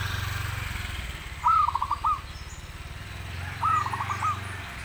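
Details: Zebra dove singing, two trilled cooing phrases about two seconds apart, each a slurred rise into quick clipped notes, partly masked by steady low engine rumble from passing traffic.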